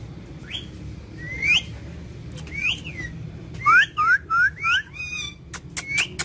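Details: Indian ringneck parakeet producing scattered bent whistles, then a quick cluster of four or five rising, shrill notes, with a few sharp clicks at the end over a quiet indoor hum.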